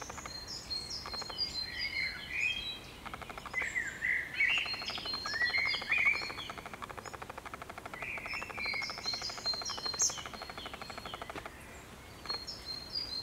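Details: Common chiffchaff chicks calling almost continuously in overlapping, high thin chirps and short slurred notes that swell and fade in waves, over a soft constant hiss.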